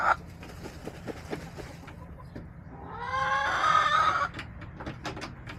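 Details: Backyard chickens on March 30, 2024: hens and roosters vocalizing. Soft scattered clucks lead into one loud, harmonically rich drawn-out call lasting over a second, followed by more quiet clucking and clicks.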